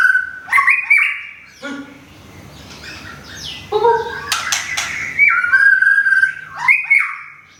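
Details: White-rumped shama in Thailand, recently rehomed and moulting, sings whistled phrases at the start, then after a quieter gap resumes with sharp notes and long steady whistles followed by a rising slur.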